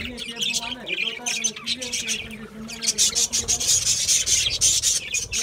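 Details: Budgerigars eating seeds, first a run of lower squeaky chirps, then loud, harsh, rapid high chattering that swells toward the end.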